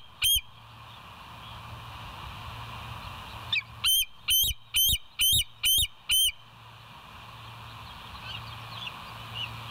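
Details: Bald eagle calling at the West End nest, live cam, morning of 26 September 2023: one isolated high piping note, a pause, then a tight string of seven squeaky, upward-flicked notes, with steady background hiss.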